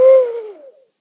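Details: One owl of a pair exchanging calls at night over a meadow on Rattenbury Rd gives a single low hoot that starts strongly and fades as it slides downward.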